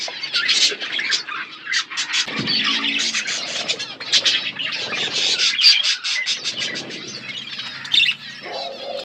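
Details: Feeding budgerigar flock giving rapid bursts of high chirps and chatter, some short clicks repeated in quick series, the calls rising and falling in loudness.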